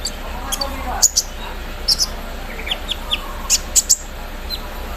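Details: Morning song of a kolibri ninja (Javan sunbird) out in the dew: thin high chirps in small clusters, with a few softer lower notes between them and a background hiss.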